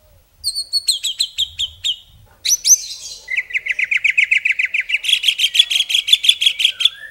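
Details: Shama song in long bursts: a quick series of high descending whistles, a loud upward sweep, then a long stream of fast repeated chirps that jumps higher midway and keeps a steady rapid rhythm.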